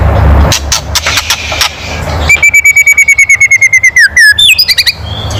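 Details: White-rumped shama giving a loud kretekan call meant to provoke other birds, after a few dry clicks: a fast string of about twenty sharp, clipped whistled notes, level then dropping, with harsher upswept notes at the end.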